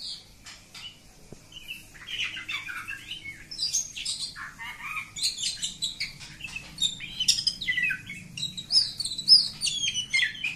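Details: Oriental magpie-robin, a village bird, singing continuously: soft scratchy chatter building into loud varied warbles, zigzag trills and high sharp whistles, with low background hum.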